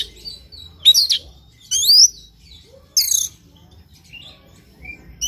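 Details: Oriental magpie-robin singing in the morning as a lure to set off another bird; three strong phrases of rising, sliding whistles and scratchy trills, separated by quiet gaps and soft distant notes.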